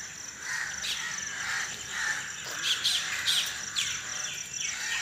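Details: Early-morning birds around 5 AM, recorded outdoors without editing: several bright, sharp chirps and tweets in irregular bursts, some high and piercing, over a constant thin high hum.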